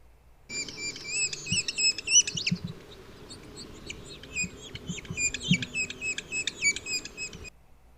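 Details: A juvenile Red-breasted Sapsucker at Knickerbocker Canyon, Big Bear Lake, on 8 September 2021 gives its begging call: rapid, squeaky, chattering notes in high bursts, several per second, over a low background rumble.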